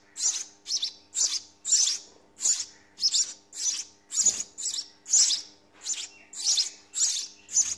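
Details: House sparrow nestlings being fed in the nest, giving high, harsh chirps repeated about twice a second in a steady series of short bursts, each call noisy and bright with no other clear sounds.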